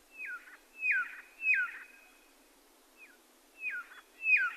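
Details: Red-lored whistler whistling downslurred notes in two bursts separated by a pause, with a faint single note between them and soft background hiss throughout.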